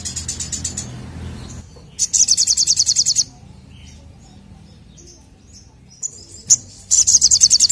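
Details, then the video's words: Ashy drongo, in a recording meant to prompt other birds to sing. High, rapid pulsed trills of even chattering notes come in bursts about a second long, separated by quieter pauses and a few isolated sharp chips. "SOGOKONTONG Gacor Nemb4k l Untuk Pancing Bunyi"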